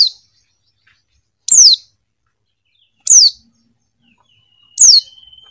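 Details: Female white-eye repeating a sharp, high, downward-slurred call about every one and a half seconds, four calls in all, with a faint steady whistle-like tone near the end.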